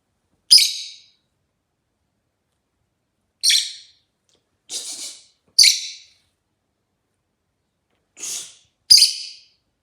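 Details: Rosy-faced lovebird (Agapornis roseicollis), a very chatty bird, gives six sharp, shrill chirps, some harsh and buzzy, spaced one to three seconds apart against a quiet background.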